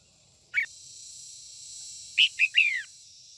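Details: Female red-whiskered bulbul singing in the morning to excite white-cheeked males: one short sharp note, a pause, then a quick three-note phrase of bright chirps, the last slurring downward, over a steady faint hiss.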